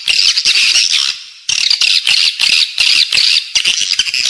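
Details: Swiftlet attraction sound played inside a building for edible-nest swiftlets: harsh, buzzy, high chirps in bursts of about half a second, one brief gap near the middle, sharp clicks between bursts.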